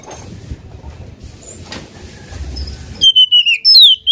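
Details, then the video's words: Oriental magpie-robin singing to provoke a rival: after several seconds of low background hum, a sudden loud phrase of level whistles and down-slurred high notes. "KACER GACOR BIKIN EMOSI LAWAN,PANCINGAN KACER EMOSI BIAR NGOBRA"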